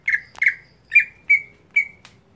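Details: Greater green leafbird kept as a daily bird, voice monotonous rather than varied: five sharp squawky notes, each a brief burst trailing into a flat whine, unevenly spaced over two seconds.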